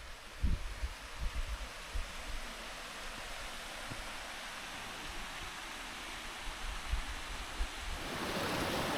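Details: Steady rushing noise like flowing water in wild mountains at night, with low thumps and bumps early on and a brighter surge near the end; no animal voices.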